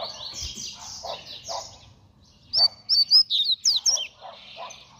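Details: Double-collared seedeater in fast song: softer buzzy notes, then a quick burst of loud high sharp whistled notes and slurs lasting about a second and a half, followed by low chirps.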